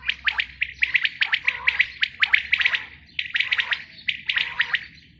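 A female quail gives rapid, high chirping notes in quick bursts of four to six, with brief pauses between clusters; nothing else stands out.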